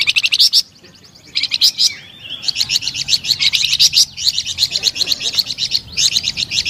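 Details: Melodious flamboyan bird song opens with a brief chirp burst. After a short silence comes a long run of rapid, high, evenly repeated twittering notes.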